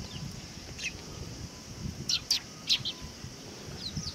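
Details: Sparrows coming to take food at a Tenmangu shrine, 18 August 2020; a few bright chirps cluster in the middle, three louder notes close together, amid soft outdoor noise.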